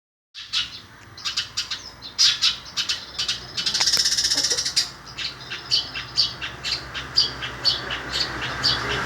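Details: Shrike singing a song that imitates a sparrow: rapid, dense series of sharp chirps and harsh squawky notes, with a buzzy rattling burst in the middle.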